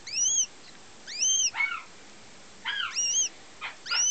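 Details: Young female goshawk, German x Finnish cross, hatched 2009, calling in loud rising-and-falling whistles, some clear and arched, others breaking into rougher, wavering notes, in pauses of about a second.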